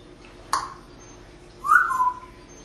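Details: Female pet parrot in Las Vegas, Nevada, sitting at a window; a sharp click, then a clear whistled note that falls in pitch and fades after about half a second, in a quiet room.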